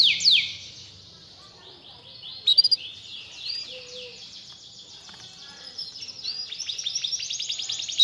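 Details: Canary song used to prompt a lazy canary to sing; a sharp chirp, then softer, long-running trills of quick repeated notes that grow louder and faster toward the end, over faint background noise.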